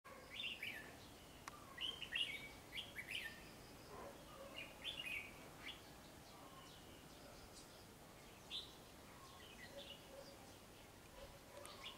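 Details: A trapping-and-fighting red-whiskered bulbul, paired with a young female, gives short, bright chirping phrases in quick bursts over the first six seconds, then sparser notes, against a soft background hiss.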